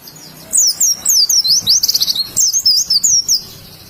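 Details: Indonesian oriental white-eye song in wild style, a rapid chain of thin, high-pitched slurred whistles and twitters delivered almost without pause, with faint low background noise.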